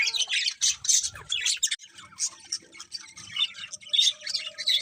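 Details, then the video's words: Several birds chirp in the morning in quick bursts of sharp, high tweets and squeaky notes, separated by brief quieter gaps. "Cute Birds Chirping Sounds In The Morning"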